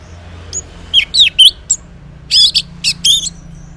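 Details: Orange-headed thrush singing in the morning, a recording meant as a lure so silent males answer; scattered high, twisting whistled and chattery phrases, two loose clusters of notes with short pauses between.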